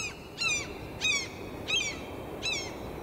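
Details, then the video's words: A seagull gives harsh, nasal, downslurred yelps, five in three seconds at an uneven pace, over a low rumble of background noise. "Seagull Sounds"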